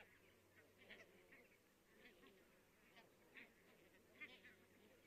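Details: A distant flock of many barnacle geese in Estonia on 22 October 2017 keeps up a steady chorus of short, yapping, dog-like calls, faint and overlapping, over a soft background hiss.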